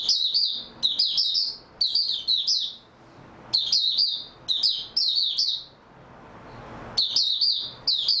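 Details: Oriental white-eye (mata puteh) singing on 3 March 2022 after a good night's sleep: bursts of high, rapid twittering phrases about a second long, separated by short pauses, in a quiet room.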